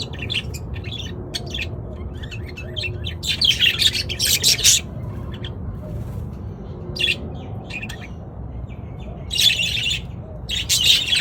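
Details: Many budgerigars singing together loudly, with bursts of busy chattering and squeaky warbles that swell and fade every few seconds over constant low background noise.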